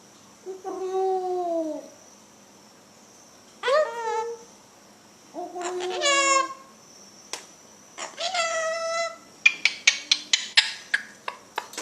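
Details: A pet cockatoo in Indonesia talking like a human speaks four hoarse, voice-like phrases that rise and fall, a few seconds apart, followed by a quick run of sharp taps or clicks.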